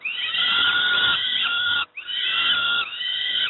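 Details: Peregrine falcon young receiving breakfast at Moszna near Pruszków, Poland: two long, grating, wheezy screams with a sharp break between them.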